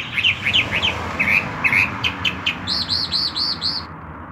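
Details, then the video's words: Chalk-browed mockingbird singing a lot at 6 in the morning: a series of quick twisting notes followed by five arched, whistled notes repeated evenly, over a low rumbling background. "Sabia do campo cantando muito as 6 da manha"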